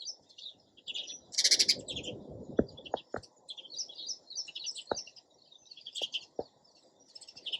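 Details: Sparrow chirping continuously, opening with a loud harsh burst, followed by steady high twittering and a few dull taps.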